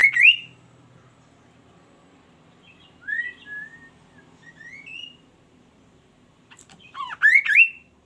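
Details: Kaso-kaso bird singing vigorously, a song meant to prompt other birds to join in: loud rising whistled phrases open and close the passage, with softer short slurred whistles in between and a faint low hum beneath.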